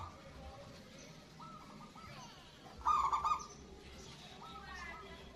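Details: Loud-voiced local zebra dove whose calls are meant to stimulate stressed or silent doves to call. A single strong, rapidly pulsed coo burst stands out in the middle, with softer distant coos around it.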